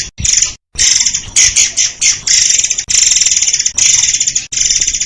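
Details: Murai air (white-crowned shama) song used as a master recording to train songbirds: dense, shrill, high-pitched bursts of rapid repeated notes in long phrases broken by brief pauses.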